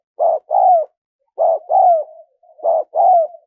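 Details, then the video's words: Spotted dove coos used for luring wild doves: three paired throaty notes in quick regular order, a short coo then a drawn-out descending one, sometimes followed by a faint lingering hum. "Tiếng chim cu gáy mp3 dùng kích bổi hiệu quả nhất"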